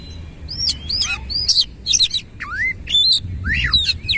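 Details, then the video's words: Oriental magpie-robin singing 'nembak ngerol' with tail spread: tight sequence of bright arched whistles, slurred upward notes and quick chips in rapid succession, rich and musical, over a soft low rumble. "KACER GACOR NEMBAK NGEROL FULL BUKA EKOR"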